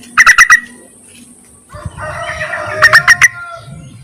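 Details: Yellow-vented bulbul call meant to summon males and serve as a lure: a rapid burst of four sharp chattering notes, a low rumbling background, then another four-note burst.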